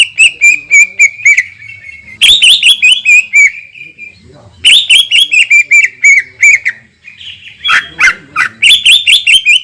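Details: Leafbird (cucak ijo) singing a long-shot lure phrase meant to agitate rival birds: three or four dense rattling runs of bright, high repeated notes, separated by brief gaps.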